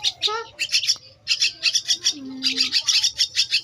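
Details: Two-week-old Javan myna chick begging while being fed: rapid bursts of harsh, high chirps in quick series, with brief pauses and faint human voice between bursts.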